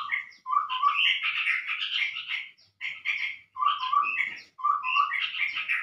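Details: Chestnut-rumped babbler lure call used for trapping: dense bursts of mellow, chattering notes, about two seconds each, separated by short pauses.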